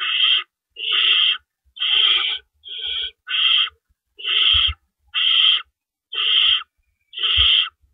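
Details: Owls calling at the nest before dawn on April 4, 2012, while rabbits are carried in and out; nine coarse, breathy hisses repeat at a steady pace of about one per second, with faint knocking sounds below.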